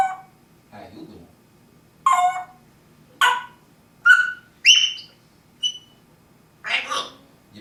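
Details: Pet parrot indoors producing separate clear whistles and chirps, some rising and some falling, spaced about a second apart, followed by a rougher, raspier note.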